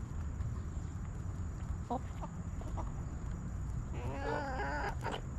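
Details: Backyard chickens in a coop; brief soft clucks early, then a longer wavering, quavering harmonic cackle in the last second and a half, against low continuous background noise.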